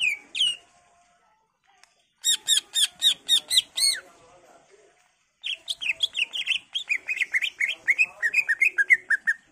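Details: Greater green leafbird in lively, varied song meant to lure other leafbirds into replying: a short opening phrase, then a run of rapid, high, chattering notes, and finally a quick string of slurred whistles that drift downward.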